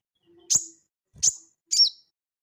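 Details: Crested jay, an actively calling bird used as lure and tutor audio for cage birds: three sharp, very high chip notes spaced about half a second apart, the last with a short falling tail, over a faint low hum.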